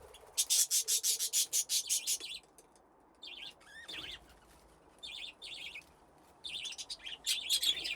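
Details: Budgerigars playing in an aviary with nesting boxes; a fast run of sharp repeated chirps opens, then short bursts of buzzy warbled chatter separated by quiet gaps.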